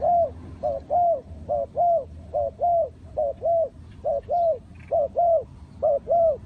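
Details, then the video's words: Spotted dove linked to trapping with a decoy, repeating clear hooting phrases steadily: about eight short paired coos each followed by a longer drawn coo, evenly spaced over several seconds with little background noise. "The Sound Of Spotted Dove"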